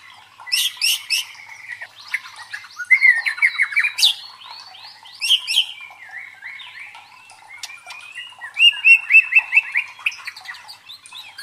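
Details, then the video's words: Pancingan song of a white-rumped shama for training fighter birds: loud rapid rattles, varied chattering and slurred phrases, and a fast repeated trill near the end. "MELATIH MENTAL FIGHTER MURAI BATU DENGAN SUARA PANCINGAN INI"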